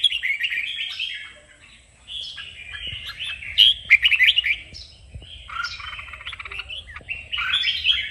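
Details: Red-whiskered bulbul song used to train and fire up other bulbuls to sing, known as kích bổi. Bright whistled, warbling phrases in bursts with a brief quiet gap near two seconds. No other clear sounds.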